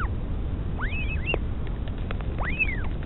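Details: Northern royal albatross at a nest near Dunedin, New Zealand, mother feeding chick; two thin arched whistles, upslurred then falling, against a low wind rumble.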